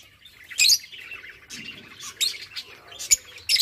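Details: Lovebirds during mating give a few loud, piercing squawks in quick bursts, separated by softer scratchy chatter.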